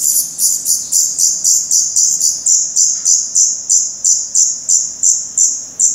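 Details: Recorded at a Black redstart nest in Portugal in May 2020 with the young' eyes open: fast, urgent high-pitched cheeps, about three per second, loud and insistent, gradually spacing out slightly toward the end.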